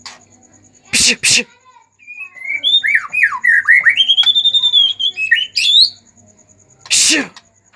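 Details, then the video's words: White-rumped shama in agitated song, aimed at stirring other shamas to sing: a varied jumble of slurred, warbling whistles and twisting notes, framed by harsh noisy bursts at start and end. "pancingan murai batu emosi"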